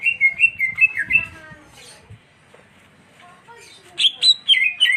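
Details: Greater green leafbird song in two bursts: a lively string of bright chirped notes that wobbles up and down, a pause with faint murmurs, then louder rising and falling whistled phrases.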